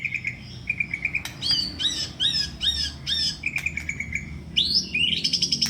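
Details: White-rumped shama in contest condition sings repeated high whistled notes and bouncing chirp series, ending in rising shrill phrases, over steady low background noise.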